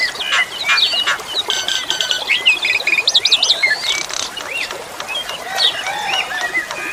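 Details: An Asian pied starling pours out mechanical-sounding rattles, buzzy chatter and rapid trilled whistles, busy and jumbled, with flowing water hissing underneath.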